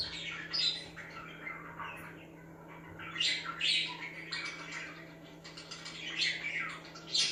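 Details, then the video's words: Parakeet chirping intended to make other budgies active: rapid, high squeaky warbles and bright chirps, rising and falling in short flurries, over a faint continuous hum. "Budgies Chirping Sound That Make Other Birds To Be Active"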